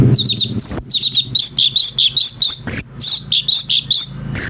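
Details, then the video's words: Brown-breasted bulbul (cucak cungko) song variations, used as a master for training magpie-robins: rapid series of short, sharp, rising-and-falling chirps, densely repeated with brief gaps, plus a faint low hum underneath. "CUCAK CUNGKO||fariasi suara cungko buat masteran murai"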